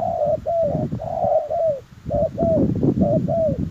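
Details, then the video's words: Spotted dove call used for luring wild doves: a run of soft, low, steady coos with slight downward slurs, set against constant low rumbling background noise. "Chim cu gáy chiêu kích mồi tập bổi nhanh nổi hiệu quả"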